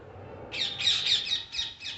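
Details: Parrots giving loud, scratchy, high-pitched squawks that start suddenly. The squawks blur into a rough chatter, then break into shorter separate shrieks toward the end.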